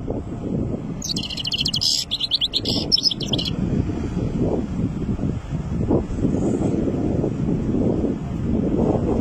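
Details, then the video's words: Goldfinch chick, three months old, singing strongly, with one rapid twittering phrase of tightly packed high, buzzy chirps lasting about two seconds, followed by steady low-pitched background rumble. "فرخ حسون يغرد بقوة من عمر ٣شهور"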